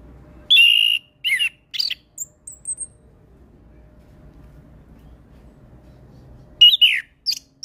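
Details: Orange-headed thrush singing in an energetic, full-imitation style, used as training audio for young birds: a few loud whistled and buzzy phrases near the start, a long quiet pause, then sharp rising notes at the end.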